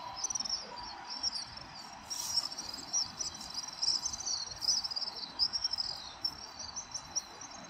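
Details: House swifts swirling in a dusk flock above Surugadai in central Tokyo, December 2023; a steady wash of shrill buzzy trills with brighter peaks in the middle, plus persistent low city noise.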